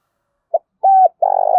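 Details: Spotted dove coo used to stir caged doves into calling: a brief soft note, then a level hollow coo and a long rolling, burred coo that is cut off.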